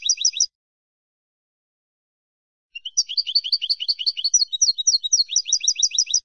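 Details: European goldfinch, Málaga classic ancestral song used to teach young birds: the tail of one phrase, a two-second silence, then a long, rapid cascade of bright, high tinkling notes and buzzy twitters, clean and without other sounds.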